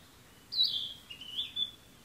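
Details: Songbird heard on June 28 giving a high, pure whistle that glides down into softer slurred notes, ending with a short sharp upward accent, against quiet outdoor hiss.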